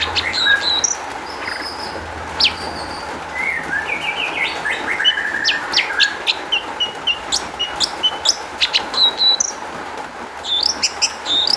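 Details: Long-tailed shrike giving rich, varied song used to draw singing from other shrikes: high thin whistles, a stepped descending trill, then dense runs of sharp clicks and chirps, continuous background hum.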